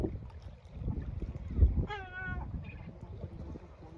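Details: Male yellow-legged gull screeching at his chicks after feeding them, urging them into shelter to rest; a single harmonic, nasal call lasting about half a second over steady low wind rumble.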